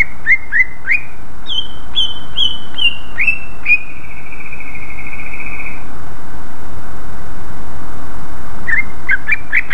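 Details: {'caption': 'Lure song of a greater green leafbird meant to provoke other leafbirds. It opens with repeated clear, down-slurred whistles, holds a long sustained trilled note, then gives a few quick chirps over a constant background hiss.'}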